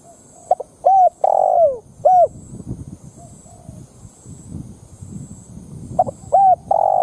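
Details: A lure spotted dove calls to provoke wild doves into fighting. It gives a stuttered coo phrase with a drawn-out falling note, then a quiet spell of rustling and low rumble, then the phrase begins again.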